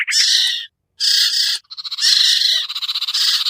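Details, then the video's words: Sirtu or sertu iora lure sound for birds that are hard to bring down: loud raspy chatter phrases, a short pause, then a stuttering rattle ending in more buzzy bursts. "suara pikat burung sertu sirtu cipoh yang susah turun"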